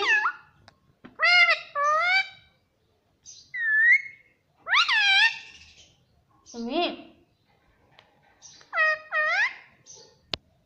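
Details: Talking pet parrot repeating the word "mummy" in a string of separate harmonic, speech-like syllables, some rising, some swooping down and back up, with short pauses between, and a sharp click near the end.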